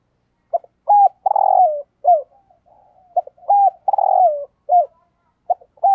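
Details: Spotted dove kept as a decoy bird, giving 'thúc gù' urging coos. Loud bursts of short, hooked notes and a longer rolling coo alternate with soft, low gurgling coos, all in a narrow mid-low band in a quiet setting.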